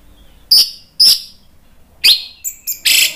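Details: Orange-headed thrush song in the ngeplong style, played as a lure to make other birds answer: two sharp high chirps about half a second apart, then a descending slur and a burst of bright, buzzy notes.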